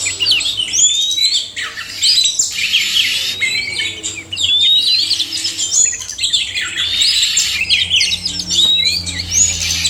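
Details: Male and female oriental magpie-robins singing together, used as therapy to stir quiet birds into song: dense overlapping whistles, rising slurs and chattering phrases, with a faint low hum beneath.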